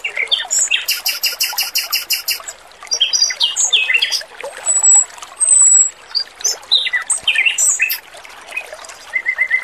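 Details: Training recording of a male red-billed leiothrix in full voice, over running water. Dense buzzy chatter and high ringing notes, then clear whistled slurs and short phrases, ending with quick repeated mid-pitched notes.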